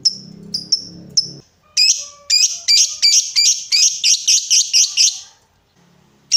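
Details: Lovebird prompt recording meant to spur other lovebirds into long 'ngekek' trills: after a few soft low sounds, sharp high squeaky chirps come in a fast series, about one and a half per second, then stop briefly.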